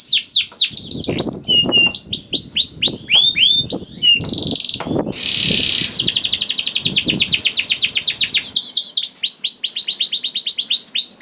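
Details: A juvenile canary sings, used as a lure to get other canaries singing: a fast, bright, high-pitched song of quick repeated downslurred whistles and rolling trills, with a brief harsh buzzy burst midway.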